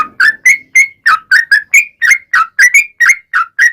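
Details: Long ropel gacor singing from a sooty-headed bulbul (trucukan), a lure to make other bulbuls sing back: a brisk series of clear whistled notes, alternately rising and dropping, evenly spaced.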